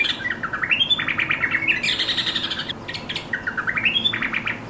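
Yellow-vented bulbul giving a fast, bubbly chatter of bright notes with quick rising slurs, repeated without pause. A faint low background hum is also heard.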